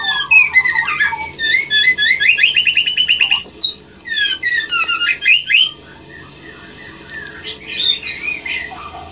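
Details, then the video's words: White-rumped shama song played to prompt captive breeding birds to mate: fast rattling series of rising whistled notes repeated rhythmically, jumbled high phrases, then quieter scattered notes toward the end. "Dengarkan Suara ini agar Murai batu Ternakan cepat Produksi"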